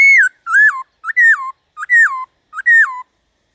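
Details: Black-throated laughingthrush song meant to spur other birds into singing: five loud slurred whistles, each falling after a short lead-in note, repeated about every two-thirds of a second.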